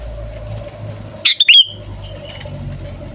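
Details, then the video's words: Sooty-headed bulbul (kutilang) call used to lure wild birds into answering: one loud, quick phrase of three or four bubbly, slurred whistles, then a faint echoing note, over steady traffic rumble and hum. "Suara Burung Kutilang Memanggil Sekali Dengar Langsung Ikutan Bunyi"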